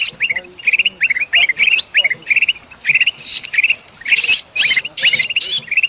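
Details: Agitated kutilang emas bulbul calling noisily together with a distressed, pinched bulbul, from Sumatran forest, used as a lure for birds; short rising chirps repeated rapidly, mixed with harsh buzzy bursts that grow denser toward the end.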